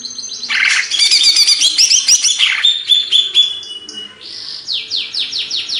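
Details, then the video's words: Male greater green leafbird from Banyuwangi, Indonesia, pouring out a fast, dense jumble of chattering and mimicked notes, then a string of quick descending whistled slurs repeated about twice a second. "Cucak ijo | Hyper Ori Banyuwangi"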